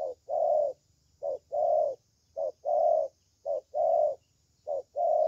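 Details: Spotted dove, a young bird with a good 'thổ' style voice, repeating low two-part coos, a quick short note followed by a longer rounded one, pairs roughly every 1.2 seconds over faint hum and high whine.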